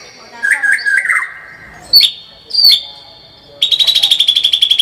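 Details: White-rumped shama, 'gacor full tembakan' singing. Warbled mid-pitched notes come first, then two sharp high whistles with pauses between them, then a sudden dense rapid-fire trill held at one pitch.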